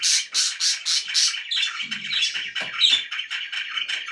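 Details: Happy budgerigars kept as pets: a string of five loud, harsh, rhythmic chirps opens, followed by softer, scratchy twittering warble with squeaky accents.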